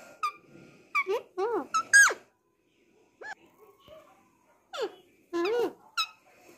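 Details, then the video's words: Pet Alexandrine parakeet talking indoors in Hindi: a series of harmonic, wavering speech-like syllables and squawky phrases, a pause with faint sounds, then more rising-falling mimicked words. "Parrots are talking - Bolne wale khubsurat tote"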